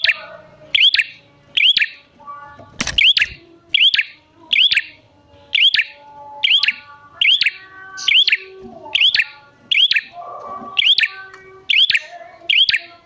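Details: Bar-winged prinia lure call for coaxing wild prinias to sing back: steady series of clicking chirps with upswept whistles, about one per second, a sharp thump near the start and faint low tones between.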